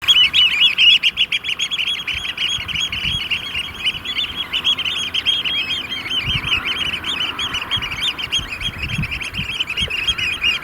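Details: At least 30 Eurasian oystercatchers courting at a sand-extraction lake in Vriezenveen at barely 5 °C, amid rain and hail showers, pipe shrill, high kleep notes in a rapid, excited run, several per second, over soft rain patter.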